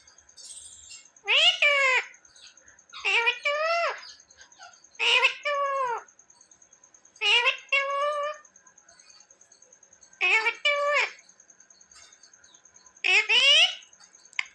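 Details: Talking parrot kept as a pet, said to repeat "mummy" and "papa": six short two-part utterances with harmonic, voice-like tone, spaced roughly every two seconds, with a thin steady whine behind them.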